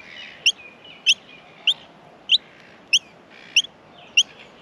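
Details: Feeding time at an Australian miner nest: crisp, high-pitched chirps repeated steadily about every six-tenths of a second over a soft hiss of background.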